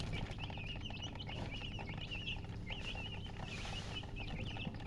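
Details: Brand-new chicken chicks chirping loudly in rapid bursts, clusters of short high peeps with brief gaps, several chicks calling together against a low hum.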